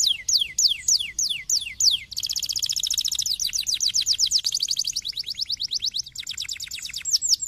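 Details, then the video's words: Canary song for encouraging a lazy canary: several separate falling whistles, then a continuous fast rolling trill of pulses lasting several seconds, ending with quicker chirps. "para estimular o chilrear de um canário preguiçoso"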